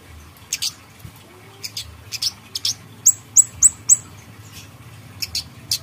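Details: Grey-headed canary-flycatcher used as singing bait: four evenly spaced, very high piercing whistles in the middle, framed by scattered clicks and faint low rumble.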